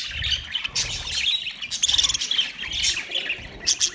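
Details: A budgerigar colony in its setup filling the air with continuous bright, warbled chirps and short tweets, several birds overlapping, with steady low background noise.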